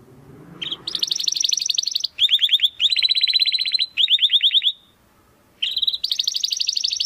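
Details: Crystal-voiced domestic canary singing steadily, used as a tutor recording for contest birds; a chain of rapid high rolls, each tour a second or so, shifting pitch between phrases, separated by short pauses, with a low hum at the start.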